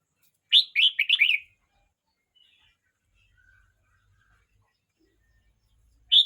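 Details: Red-whiskered bulbul, a young bird aged 12 months 29 days, gives a quick run of four bright, warbling whistled notes in about one second, then near silence before a single loud note at the end.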